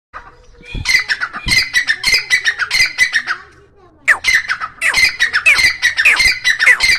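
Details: Grey francolin giving a loud, harsh, rapidly repeated grating call in fast rhythmic bursts, pausing briefly near the middle before resuming at full strength; no other sounds stand out.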